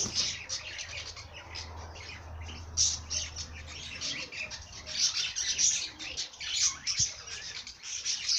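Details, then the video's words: High, rapid twittering and chirps from a singing bird, fairly continuous, over a faint low rumble in the first half. "Bird sing song madár ének"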